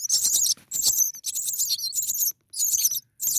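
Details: Nest of six four-day-old starling chicks begging to be fed: dense, loud, very high squealing calls in near-continuous bursts, broken by brief pauses, over rustling movement.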